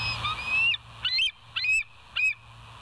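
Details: A bald eagle of the West End pair, filmed by a live nest camera on 08/01/2023 at 05:18, utters a long high whistle then three sharp, piercing, upslurred notes roughly half a second apart over low hum.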